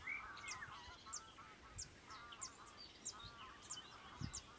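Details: European bee-eaters (Merops apiaster) at the Soča estuary nature reserve on 1 June 2023 give short, bright, liquid notes in quick succession, with lower harmonic calls from other birds underneath.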